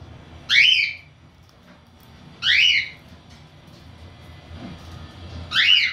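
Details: Lutino cockatiel gives loud, harsh, wavering screeches, each about half a second long, every two to three seconds.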